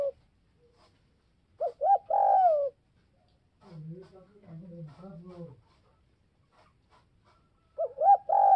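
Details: Spotted dove calling to provoke other doves: loud hoarse cooing phrases near 1.6–2.7 s and again at the end, with softer low murmuring coos between, in a quiet indoor setting.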